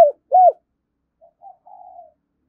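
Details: Decoy spotted dove cooing to provoke wild doves: one short soft note, then a loud rounded hollow coo, followed by faint brief murmurs and a drawn-out quiet trailing coo.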